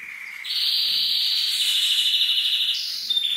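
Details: Male canary song to encourage a female to mate: a lower whistled note jumps into a long sustained high trill, stepping up briefly and then settling slightly lower.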